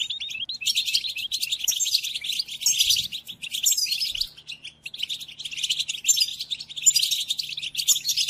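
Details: Song of the European goldfinch, played for captive birds to learn: lively high twittering and rolling trills in several phrases separated by short pauses.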